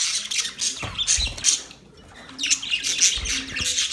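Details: Budgies chirping: dense high twittering and squeaky warbles in two bursts, a short lull near the middle, and a few low knocks in the background.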